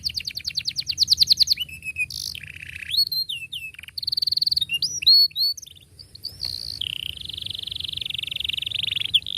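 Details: Singing canary used to train young birds: fast rolling trill opening, then varied whistled swoops, short buzzy bursts and a long steady trill closing the phrase.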